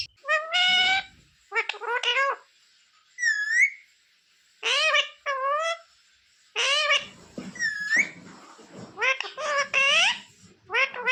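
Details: Indoor pet parrot taught to say "mummy papa", producing a long run of harmonic, speech-like syllables with swooping, upward-bending notes and short whistled sounds, in quick bursts with brief pauses and faint room noise.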